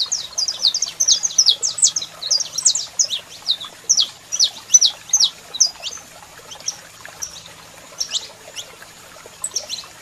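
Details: Saffron finch pair, male singing and female calling: energetic burst of high chirps in the first half, then sparser single notes with pauses, a thin steady high tone running through.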